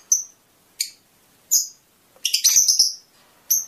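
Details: Isolated sharp high chirps from a Fischer's lovebird, spaced under a second apart, with a short tangle of harsh twittering in the middle. The song is said to stimulate mating.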